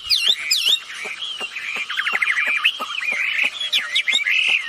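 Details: Energetic calling from a female and male wambi bird, played to draw other birds into responding. Dense, continuous chattering mixes quick whistled slurs, rapid trills and squeaky chirps with hardly a pause throughout.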